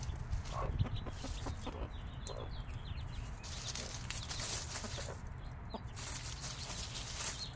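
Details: Five-day-old chicks with a mother hen, with scattered high, thin peeps and occasional soft low clucks over a loud, continuous low background rumble.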